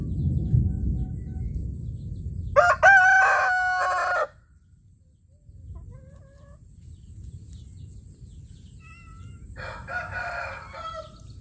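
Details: Morning crowing of a rooster: one loud, harsh, stretched crow lasting under two seconds, then a quieter stretch with faint distant calls, and a second, more distant crow near the end over low rumbling noise.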